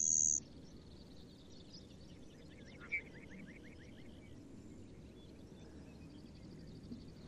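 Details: A male Lark bunting at Pawnee National Grassland sings a simpler song during song flights, passing as close as about 45 feet. A brief sharp high tone opens a faint run of quick, down-slurred chirps in rapid series, under steady background hiss.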